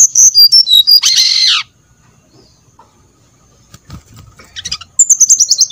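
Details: Brown-chested jungle flycatcher song for luring birds to respond: high falling whistles, then a harsh, rasping burst, a long quiet stretch with faint clicks, and a closing run of descending whistles.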